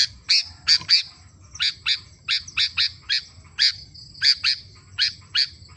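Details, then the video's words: A steady stream of sharp, high-pitched chirps from a sooty-headed bulbul (kutilang) in energetic 'gacor' form, roughly two or three per second, with low hum beneath. "Suara kutilang √ gacorr"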